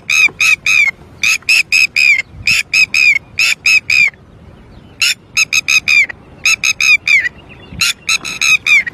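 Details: Distressed red-wattled lapwing after losing its young: shrill, buzzy notes delivered in rapid clusters, the last in each cluster sliding downward, with one pause of about a second midway before the insistent calling resumes.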